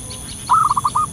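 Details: Zebra dove in the wild giving a lure call: one quick run of six short, bright cooing notes, the first slightly longer and stronger.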